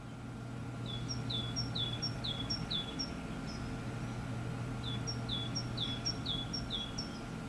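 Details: Dunnock in a winter garden in the UK giving two quick runs of thin, high, slurred notes, about ten in each burst, over a steady low hum of distant traffic.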